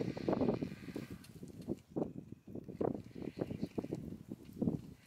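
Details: Vultures squabbling while feeding on a lion kill, the third day of four. Scratchy, pulsing rasps repeat several times a second in uneven bursts.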